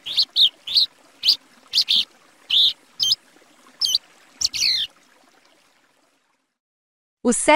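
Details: A Plumbeous Seedeater (patativa, Sporophila plumbea) from Brazil sings about ten clear, high whistled and slurred notes at an uneven pace, then pauses and gives a brief fresh burst at the end.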